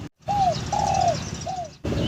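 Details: Captive zebra dove (perkutut) giving its bekur coo, which the keeper links to the bird being in breeding condition: three soft, slurred coos, each gently rising then falling, about half a second apart, over a steady low hum.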